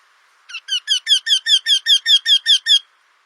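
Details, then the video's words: Eurasian wryneck song: a clear sequence of about twelve loud, nasal, repeated notes, each slightly falling in pitch, delivered evenly over more than two seconds and then stopping abruptly. "Singing Eurasian Wryneck (Junx torquilla)"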